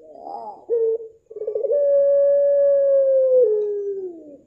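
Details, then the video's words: Puter pelung dove singing in its own rhythm: rough, stuttering opening notes, a short clear coo, then a long, level, sustained note that slides downward at the close. "9 Puter Pelung, suara dan karakter berbeda"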